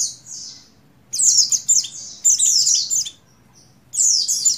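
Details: Oriental white-eye female, buxtoni, in breeding condition, calling to a male. Dense clusters of very high, sharp chirps run for about two seconds, pause, then return in a final burst.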